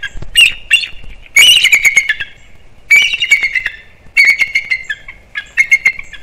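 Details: Alert calling from a nesting bald eagle pair at Captiva/Sanibel Island, Florida, in the December breeding season, aimed at something near the nest; loud squealing chatter in four bursts of quick piping notes with descending trailing squeals.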